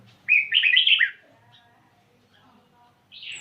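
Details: Red-whiskered bulbul of the Vietnamese type singing rapidly: a bright, tumbling burst of warbled, slurred notes lasting under a second, then a short pause and the start of another phrase.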